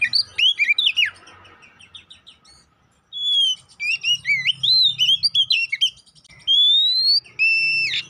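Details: Oriental magpie-robin lure song meant to provoke aggression and fighting. The loud, varied phrases mix fluting whistles, long rising drawn-out whistles and rapid chirps, broken by short pauses.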